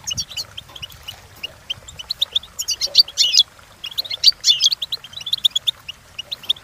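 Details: European goldfinch training song: spaced high chirps building to two loud, rolling buzzy flourishes, then lighter twittering.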